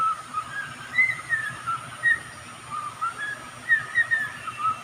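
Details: Pet songbird giving a loose series of clear whistled notes, some short upslurs and level tones, delivered in small clusters roughly once a second over a soft constant hum.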